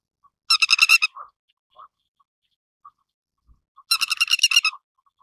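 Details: Grey-headed lapwing giving two loud bursts of harsh, rasping notes in rapid series, about ten notes each, separated by a few seconds of near quiet with faint short clicks between.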